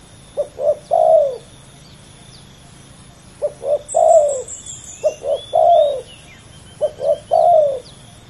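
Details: A fierce pair of male spotted doves calling: four regular phrases, each two or three short coos and a longer drooping coo, spaced roughly every two seconds, with a brief high twitter from another bird.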